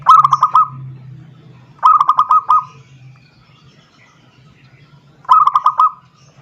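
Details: Zebra dove calling a rival: a short rolling phrase of five quick pulsed notes near one pitch, given three times a few seconds apart, with a low hum underneath.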